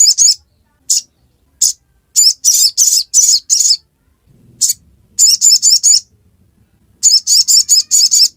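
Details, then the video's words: A sogok ontong, or sogon, gives ngiriwek song: scattered single high chirps at first, then tight bursts of four or five sharp notes, with a faint low murmur in one pause. "Sogon | Kicauan ngiriwek pastikan sogok ontong bahanmu ikut bunyi"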